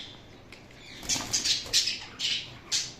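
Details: Indian ringneck parakeet squawking: a run of short, harsh, noisy bursts repeated roughly every quarter to half second after a quiet first second.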